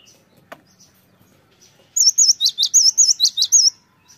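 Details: Cinereous tit lure song meant to make wild birds respond quickly and keep singing: after a sharp click and a quiet pause, about a dozen loud, high, bouncing two-note phrases ring out in rapid regular succession.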